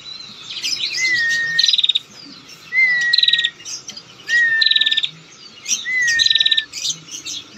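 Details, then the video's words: A female bar-winged prinia gives its long trilling lure call for drawing in males: short whistled note, then a quick buzzy rattle, repeated about every one and a half seconds. "prenjak gacor ngetir panjang || pancingan prenjak betina centil gacor"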